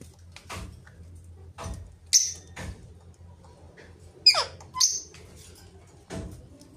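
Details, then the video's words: Rose-ringed parakeet making short harsh squawks and raspy bursts, spaced irregularly a second or two apart, with a few shriller screeches near the middle. "Mithu Parrot Talking Face To Parrot Talking and Ringneck Videos"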